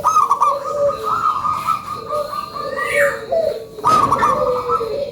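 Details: Zebra dove of local stock gives a lure call: drawn-out, gently wavering coo notes running almost continuously, a brief break, then another cooing phrase starts.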